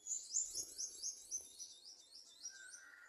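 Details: Garden sunbird nestlings begging during feeding at the nest; quick series of shrill, high, slurred chirps about four per second, followed by a brief lower whistled note near the end.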